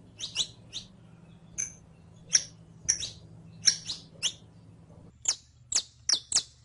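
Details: Saffron finch (canario criollo) on a song-teaching track: scattered high, piercing chirps spaced about half a second apart, ending in a quicker burst of clipped notes, with a soft low hum in the background.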